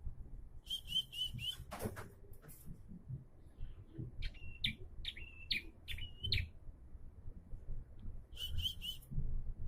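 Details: Bar-winged prinia singing more diligently: an opening run of quick high chirps, a loud broadband thump, then several separated chirps with level whistled tails and a final brisk run, over low rumble.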